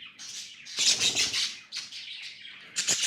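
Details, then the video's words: Tame budgerigars close up: loud raspy chirping bursts, a noisy squawk near the middle and a final sharp chirp, rough and buzzy throughout. "Budgies amazing love & chirping sounds"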